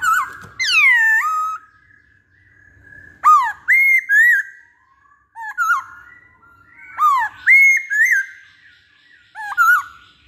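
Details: Masked laughingthrush, called poksay Hongkong, singing a pancingan lure song: a loud sweeping whistle, then repeated groups of two or three short, sharp, arched whistled notes at roughly two-second spacing.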